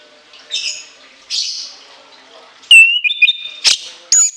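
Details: Orange-headed thrush giving harsh scratchy notes, then sudden loud shrill whistles climbing in steps, with a final sharp high note.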